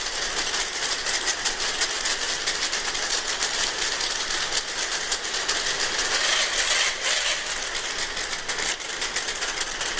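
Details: Thousands of oilbirds flying back into a cave in Venezuela at 4 a.m. after foraging at night, heard from inside the cave, echolocating with audible clicks. The clicks form a dense, loud, rattling chatter like a typewriter that goes on without a break.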